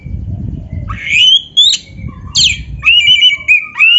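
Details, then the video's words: Kacer, or Oriental magpie-robin, singing as a tutor recording for other birds: rising whistled slurs, a steep descending note, then a trilled stretch of level whistles ending on an upward flick, over faint low hum. "SUARA BURUNG KACER MASTERAN"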